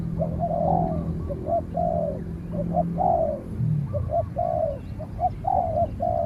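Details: Spotted dove duel between a bird out in training and a wild dove that fights from afar and is finally chased away. Steady runs of short and long descending coos continue over a low droning hum.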